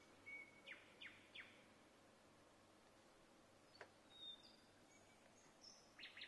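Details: Nightingale singing in Vinnytsia, Ukraine, on 25 May 2024: short varied phrases of a high whistle, a few rapid descending sweeps, then thin sharp notes and a final burst, over a steady background hum.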